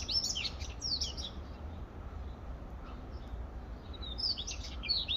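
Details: Beautiful twittering of a male Daurian redstart: a quick jumble of high, sharp chirps and slurred whistles at the start, a quiet gap, then another bright twittered phrase near the end, all above a soft low background hum.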